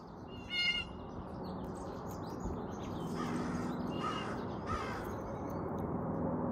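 A blue jay gives one loud, harsh, nasal call, followed by a few fainter rasping calls, over a steady low rumble of background noise.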